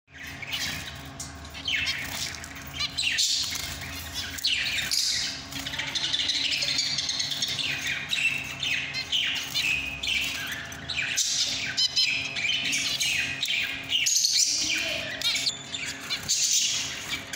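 Zebra finch song: a rapid jumble of nasal squeaks, buzzy notes and high chirps, with other finches calling around.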